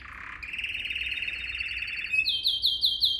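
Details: Canary training song: a low buzzy roll, then a long, fast, even trill, switching to bright, high, chopped sweeping notes repeated about three times a second.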